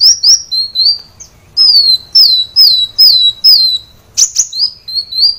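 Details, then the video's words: Training song of a kolibri wulung sunbird for caged birds, loud and persistent: bursts of high, downslurred whistles separated by short pauses, ending with sharp upward chirps and a few more falling notes. "Kolibri Wulung ngedan | masteran Kolibri Wulung | Kolibri Wulung gacor | kicau Kolibri Wulung"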